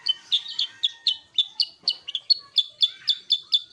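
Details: Sooty-headed bulbul singing actively: quick series of sharp, high two-toned chirps, roughly two per second, each dropping from a bright upper note to a lower one, kept up steadily throughout.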